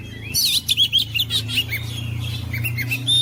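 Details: Short stretch of oriental magpie-robin song used to spur silent birds into singing: quick, high chirps and whistled slurs in rapid sequence above a constant low electrical hum.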